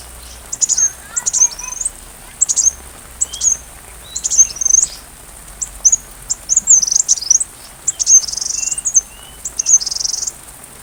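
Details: Sunbird song used to train a white-rumped shama: scattered, sharp, very high chips and quick twisting slurs in irregular bursts, with a few softer lower chirps in between.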